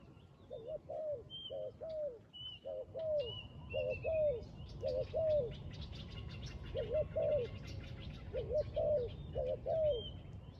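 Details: Spotted dove at a trapping site, repeating throaty two-part coos in runs with a short pause midway, while chirps and whistles of other birds and a dense buzzy chatter fill the higher background.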